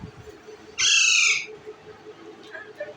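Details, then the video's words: Green Indian ringneck parakeet eating bread gives one loud, harsh, raspy screech lasting about half a second, followed by faint soft chatter and quiet background noise. "green Ring nick talking parrot eating bread"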